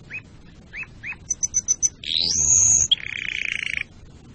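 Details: Canary song for breeding preparation and teaching young birds: scattered upward chirps, a run of high piping notes, a long rising sweep, then a fast rolling trill.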